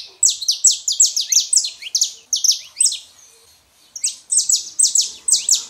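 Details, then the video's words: Male and female saffron finch singing to warm up a quiet canary: fast series of bright, high, downslurred chirps in dense runs, a brief pause, then another rapid run. "canário da terra fêmea e macho pra esquentar seu canário frio"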